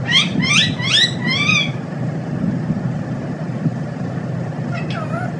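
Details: Pet parrot talking, repeating a short phrase four times in quick succession. Each utterance is bright, harmonic and rising-then-falling. A low steady rumble continues underneath, with a fainter squeaky call near the end.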